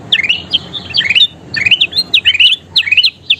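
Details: Kutilang emas bulbul singing for bird-song training: lively chirping phrases of quick upward-slurred whistles, some doubled, delivered in close clusters, over a soft low rumble.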